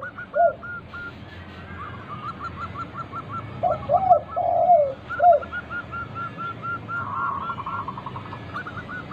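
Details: Local zebra dove singing as a lure for other doves: soft, fairly distant strings of quick repeated notes and lower warbling coos, more than one bird possibly calling, over a steady rustling background.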